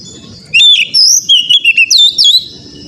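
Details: Oriental magpie-robin song for training a caged bird to sing: a single loud burst of rich whistles, rising and falling slurs and quick chips packed into two seconds, over faint low rumble.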